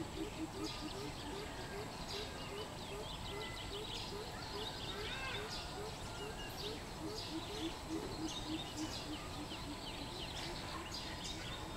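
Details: Greater coucal, 13 June 2020: a long chain of low, booming hoop notes for about nine seconds that fades out, with scattered high chirps of other birds and steady background hiss.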